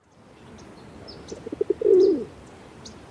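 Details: A pigeon's single coo: a few short clipped notes lead into a longer falling throaty coo, with faint high chirps of small birds behind.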